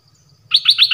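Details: Malaysian Pied Fantail song. After half a second of quiet and a faint low hum, a fast run of four sharp, high chirping notes begins.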